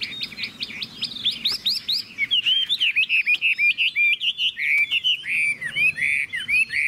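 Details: Caged Chinese hwamei, a show-quality bird kept for its singing, giving loud varied song: rapid repeated whistled motifs, then rich slurred notes rising and falling in quick succession.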